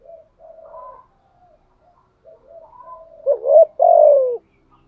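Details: Spotted dove used as a decoy, thổ-voice style, starting with gentle low murmurs before one loud double coo near the end: a quick rising note, then a longer, gradually falling one.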